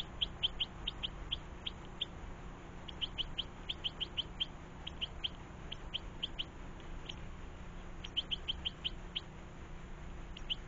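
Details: European goldfinches with their young feeding in a garden; quick, thin, high chirps in loose bursts of several notes, separated by short pauses, over a steady soft hiss.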